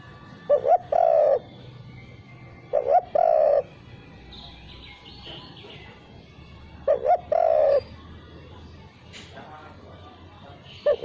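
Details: Spotted dove lure phrases without the final 'kuk': soft double coos, a brief note then a longer mellow one, repeated roughly every three seconds, with faint chirps of other birds between.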